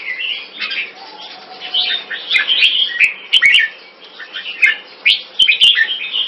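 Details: Two caged red-whiskered bulbuls facing off in a Singapore singing contest; busy overlapping warbles and chirps, bursts of bright notes with short pauses, a faint low whistle early on and sharp clicks.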